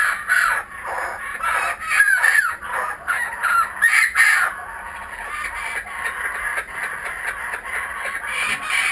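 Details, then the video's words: Returning kookaburras calling in a garden: a rapid chuckling chorus of harsh notes about nearly three per second, louder in the first half then fading to softer, steadier chattering. "Our Kookaburras are back"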